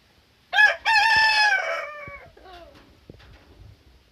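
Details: Rooster crowing in the morning: a short opening note followed by one long loud harsh cock-a-doodle-doo that trails off, then faint clucking and quiet rustling.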